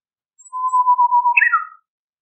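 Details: Japanese bush warbler song: a long, steady, low whistle, then a quick flourish of three higher, slurred notes, on a silent background.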